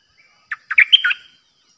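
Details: New decoy Streak-eared bulbul, caged, giving a pure 'dok' phrase on 06/05/2022: five quick chirpy notes strung together, the middle ones slurred upward, ending in a softer trailing note, in a quiet setting.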